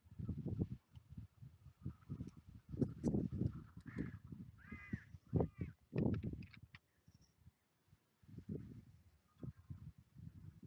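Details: Wild carrion crows on a clifftop seafront, gathering to be fed by a familiar person. A few harsh, hoarse caws come mid-clip over heavy low rumbling, footsteps and handling noise, with a thin high whistle briefly heard.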